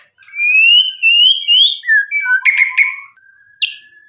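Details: White-rumped shama in lure song meant to provoke rivals: long clear rising whistles, then lower slurred notes and a burst of dry rattling chips, with a final sharp note after a pause.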